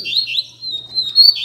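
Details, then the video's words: Rusty-collared seedeater song from a Sunday-morning gathering of keepers' birds, a sustained high whistled phrase with rapid wavering notes at the start and end, over a steady low background hum. "Barderna de Coleiro Entre Amigos!!!"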